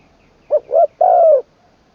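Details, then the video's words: Decoy spotted dove in training, from Buriram in Isan, Thailand. Its song is in the "khan long kuk wai" style with a full middle voice. Here is a single phrase: two quick low coos, then a longer, drawn-out falling coo. "ฝึกนกต่อ เจ้าเพชรบุรีรัมย์ แดนอีสาน ครั้งที่ 3 ตามหมาย 1เดียว ขันลงกุกวัย เสียงกลางเต็ม"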